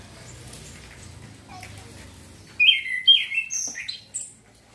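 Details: Young male orange-headed thrush learning ngeplong and ngecir song styles, used as a lure for training young birds: after about two and a half seconds of low background hum, a burst of clear whistled notes and high chirps, loud at first, then fading.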